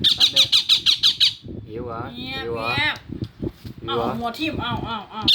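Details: Rose-ringed parakeet calling to a companion of another species: a fast run of harsh, loud squawks repeated about five times a second for just over a second, then a person talking over softer chatter.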